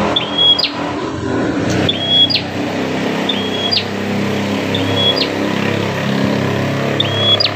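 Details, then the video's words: Bar-winged prinia, described as aggressive, whose voice serves to lure other prinias; thin high notes with a sudden drop recur about every one and a half seconds, largely masked by loud vehicle rumble. "BURUNG PRENJAK GALAK INI SUARANYA BISA BUAT MEMACING BURUNG PRENJAK LAIN"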